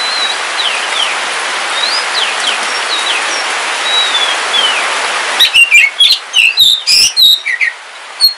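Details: Rain hisses for several seconds before a pet Kalimantan kacer wulung, the black oriental magpie-robin, bursts into loud, rapid whistled song of varied chirps and slurs on a rainy day.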